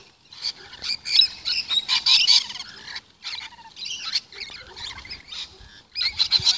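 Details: Lorikeets being fed in a yard screech in harsh, high, grating bursts, several overlapping in a busy chatter with brief pauses between flurries.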